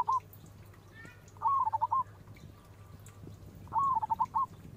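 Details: Local zebra dove with a big voice, a lure for replies: two clear burbling coo phrases about two and a half seconds apart, each a quick wavering string of notes, over a noticeable low hum.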